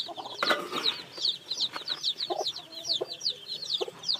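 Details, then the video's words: Newly hatched chicks peeping steadily, high thin notes that slide downward, about one per second from overlapping birds, with soft low taps and knocks underneath. "Âm thanh gà con mới nở kêu"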